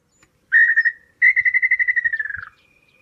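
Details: Small-billed tinamou in São Miguel do Iguaçu, Paraná, Brazil, giving a brief burst of whistled notes, then a longer series that speeds up and slides lower in pitch at the end.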